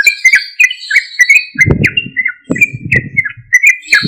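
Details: Energetic yellow-vented bulbul song used to provoke untamed or silent birds into replying: fast bubbling chirps under a low rumbling thump heard several times.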